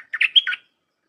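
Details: A 'dok taeng' red-whiskered bulbul gives a compact, bubbling phrase of rolling, whistled notes with a high bright peak, part of a dense 'dok' song used to train young hand-fed birds.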